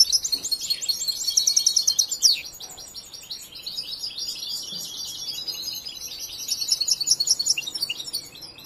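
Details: European goldfinch, a young bird not yet fully trained, giving loud high trilled phrases, a sharp descending note, softer chattering twitters, then renewed bright trilling.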